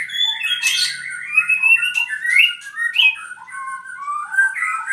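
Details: Song of an albino white-rumped shama, Purwokerto: a continuous, fast medley of whistled slurs, chips and buzzy notes with no break, loud and close.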